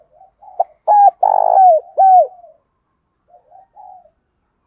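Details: A spotted dove gives a soft, hoarse run of low coos, a calling crow, the middle notes loudest and slightly falling.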